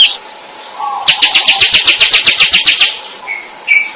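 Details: Bar-winged prinia in vigorous song, giving a fast rattling burst of high, evenly spaced notes lasting almost two seconds. Softer chirps come before and after it over a low background hum.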